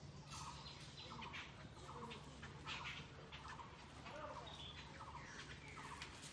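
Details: Jungle babbler, called 'sat bhagi' in Rajshahi for living in groups, in a mango orchard: harsh, rasping notes repeated in quick bursts against a steady hiss.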